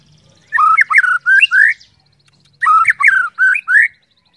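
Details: White-rumped shama song used to prompt other shamas to sing: two loud phrases of four or five rich whistled, upslurred notes, separated by a silent gap of under a second.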